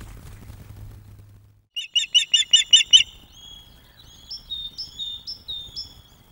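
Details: Ospreys at a nest webcam at Loch of the Lowes in May 2024, during courtship as a young male brings fish to a food-begging female. A quick burst of about nine sharp, high chirps is followed by softer, thinner high notes.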